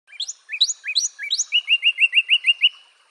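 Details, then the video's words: Northern Cardinal singing: a few sharply rising slurred whistles lead into a fast run of about ten clear, evenly spaced down-slurred notes, bright and ringing. "Northern Cardinal Bird Sound"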